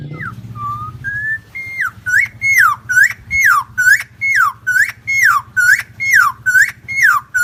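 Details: Helmeted friarbird, known locally as cucak timor or koak kaok, from Nusa Tenggara, in a long lure recording: loud whistled two-part phrases, a short rise then a slurred fall, repeated about once per second over a steady low electrical hum.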